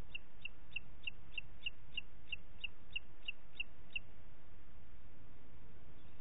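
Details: Booted eagle in Parc Natural dels Ports, 27 June 2021, 09:06: about thirteen bright, high, sharply repeated notes in a regular run over four seconds, then only low background rumble.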